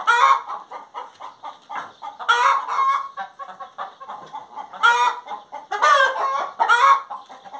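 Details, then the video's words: A hen's cackling song: a loud opening squawk, soft clucks, then further loud rasping calls grouped near two and a half, five and six seconds, with steady clucking throughout. "Galinha Cantando"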